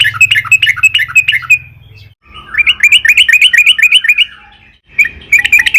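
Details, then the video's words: Yellow-vented bulbul in long, active song to draw others into singing: repeated phrases of fast, rising, bubbly chirps about four per second, separated by short pauses, with low-pitched hum in the background. "burung trucukan gacor PANJANG buat PANCINGAN TRUCUKAN AGAR BUNYI"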